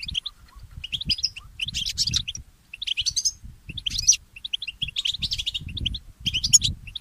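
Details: Early-morning song of a mule goldfinch (goldfinch hybrid): high, rapid twittering phrases broken by short gaps, with sharp chips and trilled runs over a soft low-pitched background rumble.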